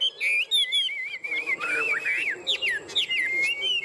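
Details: A Chinese hwamei kept in a cage as part of a tame pair delivers fighting song: a flowing, warbled whistle that wavers rapidly up and down, broken by short sharp notes and a long steady whistle.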